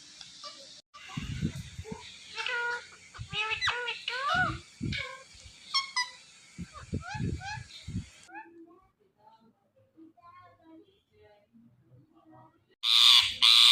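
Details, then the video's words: Pet Indian ringneck parrot mimicking words: a run of short chattering, warbled syllables for about eight seconds, then softer scattered calls, ending in a loud harsh burst of noise. "Mitthu Parrot Talking Compilation"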